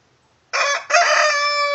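A rooster crows loudly: a harsh short opening note, a brief break, then a long held, strained note.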